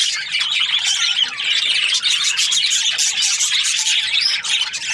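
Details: Many budgerigars from breeding pairs chirping together, an unbroken wash of bright twittering, clicks and scratchy warbles, a few louder squawks standing out.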